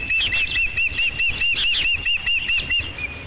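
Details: On 5 July 2016 an osprey at its nest greets the first fish with a rhythmic train of high, ringing chirps, roughly three per second, evenly spaced.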